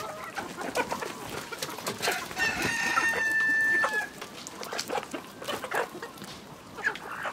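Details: Rural village poultry: a rooster crows once in a sustained, slightly wavering call lasting about two seconds, surrounded by hens clucking and background clatter.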